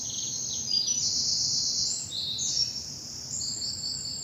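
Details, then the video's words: Early spring morning in a bluebell wood, south of England: continuous high, sweet, ringing warbles and sustained trills fill the air, blending several singers with little pause. "Birdsong and bluebells in the morning sun"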